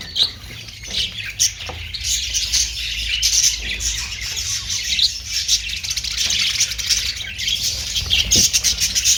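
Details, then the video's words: Steady wall of budgerigar chatter, many thin squeaks, warbles and clicks overlapping without pause, growing slightly louder toward the end, low hum beneath. "Austrailian perrot sound"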